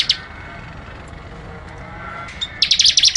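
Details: ["Prinia song in the 'ngebren' style, mostly quiet background broken by a tiny chip, then a fast burst of sharp, buzzy high notes in the final half-second."]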